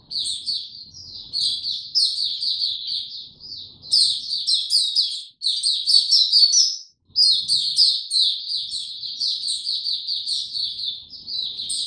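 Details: Caged white-eye recorded 29 April 2022, in power down mode, without health supplements, delivering bursts of rapid high twittering separated by two short breaks, each burst a dense jumble of thin chirps.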